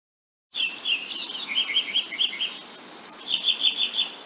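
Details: Woodnymph hummingbird twittering: a burst of high squeaky chatter, a short pause, then another quick run of high sputtering notes.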